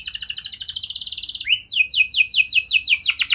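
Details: Singing canary, played as a lure to prompt other canaries to sing: a rapid steady high trill, a brief upward slur, then a run of quick falling sweeping notes repeated several times a second.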